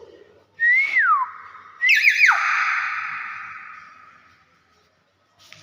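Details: Common hill myna calling actively, a loud clear whistle that rises then slides down, followed by a second, louder whistle with a quick wavering start, then a long fading tail in a reverberant space.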